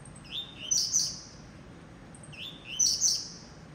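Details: Two clear phrases of a blue-black grassquit's coleiro tuí-tuí style song, bird kept by a breeder: a rising thin note, then a loud sizzling burst, separated by about two seconds.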